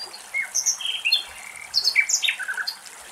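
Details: Common nightingale (Luscinia megarhynchos) song in the wetland of Axios Delta National Park, Thessaloniki, Greece: a rapid, varied run of high whistles, chirps and buzzy notes that jump sharply in pitch, over a faint outdoor hiss.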